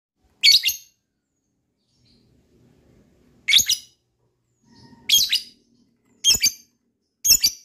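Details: Lovebird giving five sharp, shrill chirps at irregular gaps of one to two seconds; recording used to prompt other lovebirds into ngekek, a long trilling chatter. Quiet otherwise, with faint low murmurs between calls.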